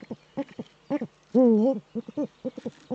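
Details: Courting male Eurasian eagle-owl in the breeding niche, filmed by a nest camera in northern Rhineland-Palatinate, Germany, on 4 May 2013. Clipped low hoots come in quick bursts around one strong, quavering, drawn-out note.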